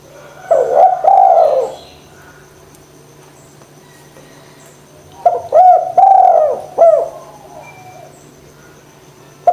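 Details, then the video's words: Spotted dove calling eagerly, meant to prompt lazy doves to call: a drawn-out, swelling coo, a pause, then a cluster of several sharp, arching coo notes, all over a constant low hum. "DERKUKU GACOR PANCINGAN JITU ATASI DERKUKU MALES BUNYI"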